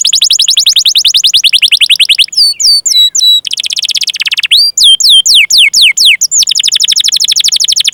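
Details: Canary in full, persistent song, recorded as a long chirping rolling trill for training other canaries to sing. Very fast, high, rhythmic trills alternate with loud slurred whistled notes that sweep down, with no other sounds.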